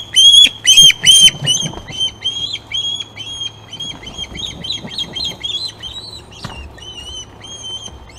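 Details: Ospreys calling at the Glaslyn nest on 26 August as fish are brought in, recorded by a nest camera. Three loud, harsh whistled cries open the clip, then a fast run of softer piping chirps follows, with a low steady hum underneath.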